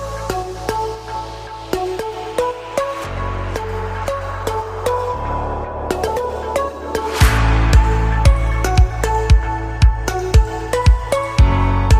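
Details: Electronic dance music with a heavy bass beat and sharp percussive hits, with no bird or other animal sound audible.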